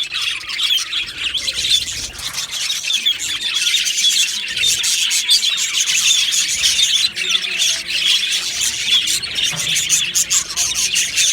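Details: Colony of Australian budgies kept in an aviary, a crowd of birds chattering together in a steady, busy stream of high twittering notes, scratchy squawks and brief whistles.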